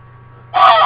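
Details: Pet American Buff goose kept indoors in a diaper harness, honking when upset that its owner is leaving: one loud, harsh, nasal honk beginning abruptly after a half second of low hum.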